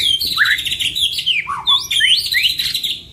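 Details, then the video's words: Two caged white-rumped shamas sing as a training lure for songbirds, a dense stream of high whistles, upward and downward slurs and scratchy notes with no pauses. "Duo GACOR !! Burung MURAI BATU Full isian MASTERAN PANCINGAN"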